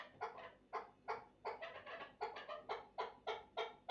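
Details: Chukar partridge calling with spaced, rasping cluck notes in loose pairs and singles, roughly three per second, against a quiet background.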